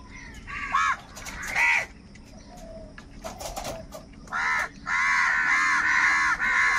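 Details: Harsh crow caws while crows fight over food: two separate calls, a quieter pause with faint sounds, then an abrupt caw and a long, continuous stretch of overlapping raucous cawing at the end.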